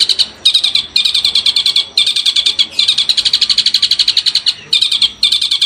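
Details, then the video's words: Long-tailed shrike masteran training song, loud and close: bursts of rapid harsh chattering notes broken by short pauses, the pulses uneven in spacing and strength. "masteran burung cendet"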